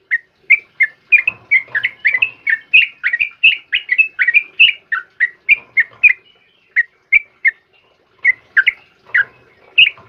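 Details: Continuous morning song of a sooty-headed bulbul (trucukan kebo): chattering, bubbly whistled notes tumbling rapidly for several seconds, a short pause, then more spaced slurred whistles.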